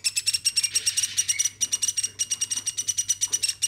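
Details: Hand-raised woodpecker, kept from a chick to adulthood, calling nonstop indoors: a fast, steady train of sharp, high chattering notes, roughly seven per second, with a faint low hum behind.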